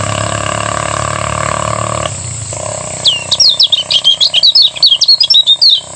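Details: Lemon-bellied white-eye from Lombok singing in the morning in the ngejos style, used as a training song. Loud low rumbling machine-like noise fills the first half, then a rapid run of high, sharp, warbling chirps follows.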